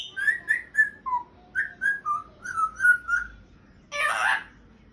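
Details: Pet African grey parrot trying to speak and making sounds: a run of short whistled notes, some level and some dipping, about three or four a second, ending in a harsh, breathy squawk-like burst.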